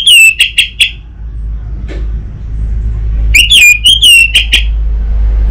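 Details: Orange-headed thrush, used in North Bali (Singaraja) as a lure so a raw bird sings openly: a quick series of falling high whistles, a gap with steady low hum, then a longer burst of wavering shrill notes.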